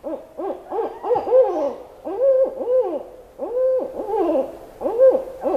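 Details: Barred Owls, often heard at night in swamps and in all seasons, in a loud, overlapping duet of arching, wavering hoots rising and falling about every second, building to a wild, cackling chorus.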